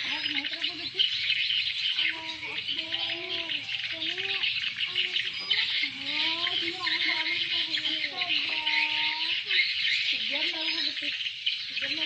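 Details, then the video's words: Swiftlets respond to this lure call: continuous high, buzzy twittering from many overlapping chirps, with lower wavering, voice-like tones repeating throughout. "Jarang ada yang pakai suara pangil ini padahal di rspon/di sukai burung walet"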